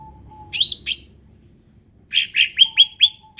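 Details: Ruby-throated bulbul, described as endemic, utters two bright slurred phrases, then a quick series of about five rising whistled notes, with a soft steady low background noise throughout.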